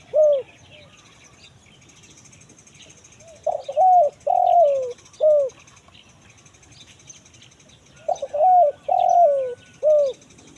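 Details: Spotted dove singing the 'kuk 1 mersik' pattern, recorded as a lure for wild forest birds: two separate phrases of mellow, low coos, each a few short notes and a drawn-out falling coo, with long quiet gaps between.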